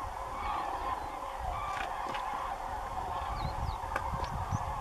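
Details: A large flock of common cranes (Grus grus) flying over farmland beside Doñana National Park at the end of the day gives a dense, continuous chorus of overlapping bugling flight calls over a low wind rumble.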